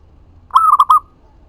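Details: Zebra dove of local stock cooing a lure phrase for drawing answers from other doves: one loud phrase, a sustained note then two quick rolled coos, on a quiet background.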